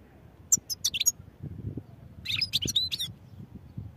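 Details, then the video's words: European goldfinch singing: two quick bursts of bright, high tinkling twitters, the first around half a second to one second, the second from about two to three seconds, over a low background rumble. "goldfinch songs | goldfinch singing"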